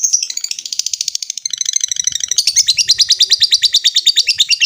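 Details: Long ngekek trill of a lovebird calling a rival: rapid high pulsed chatter, roughly three beats a second, shifting to a louder, brighter section halfway through, with a faint low rumble beneath.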